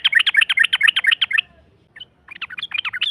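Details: Yellow-vented bulbul provoking a rival with rapid 'ropel' singing: a fast run of bubbly, warbled notes for about one and a half seconds, a brief gap with a single chirp, then the quick chatter resumes.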